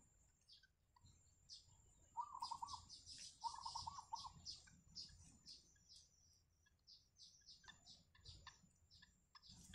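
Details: Wild yellow bittern family at the nest with chicks: two short, buzzy, mid-pitched rattling calls, each under a second. Dense high chirps and ticks surround them, with a steady high whine in the background.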